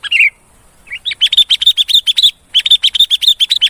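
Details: Sooty-headed bulbul lure call used to attract wild bulbuls: a few short chirps, then a rapid run of sharp, high repeated notes, about three per second, pausing briefly before resuming.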